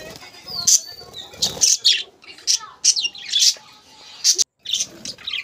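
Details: Budgerigars in a breeding colony with clutches of eggs; loud high chirps and short squawks repeated in rapid irregular bursts, several birds calling together.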